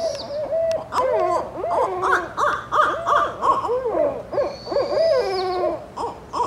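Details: Family of Barred Owls in British Columbia, Canada, calling together: a lively, overlapping run of hoots and wavering, cackling notes that rise and fall, several birds at once, with brief gaps between bursts.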